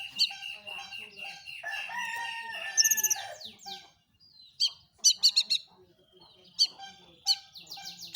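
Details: Long-tailed shrike lure song to prompt other shrikes to sing, opening with a dense rasping medley of whistles and chatter, then after a short pause giving sharp, spaced high notes and brief squeaks.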